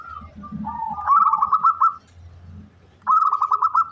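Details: Zebra dove of the local type, an eager caller used as a lure, sings a low sustained note that rises into a rapid stuttering series of pulsed coos, repeated after a brief pause; soft low hum behind.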